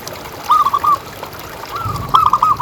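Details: Local zebra dove, a pet bird prized for a big voice, used to prompt other doves to call. Two mellow cooing phrases of fast short notes ending in a drawn-out coo, over low rumble.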